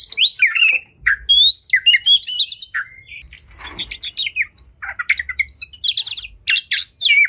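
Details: Caged oriental magpie-robin in an aggressive, fighting state: rapid sequences of upslurred whistles, buzzy rasps and sharp chips, delivered continuously with brief gaps.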